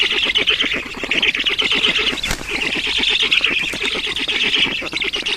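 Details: Feeding time at a black stork nest in Estonia, 11 June 2019: a steady stream of scratchy, fast-pulsed wheezing calls, with one sharp knock partway through.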